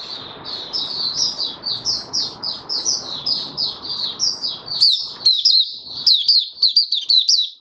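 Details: Caged oriental white-eye in open singing, fifth day after its monthly deworming, 20 January 2022: rapid run of high, sweet chirped notes that rise and fall, sharpening into brighter twittering toward the end over a low background hum.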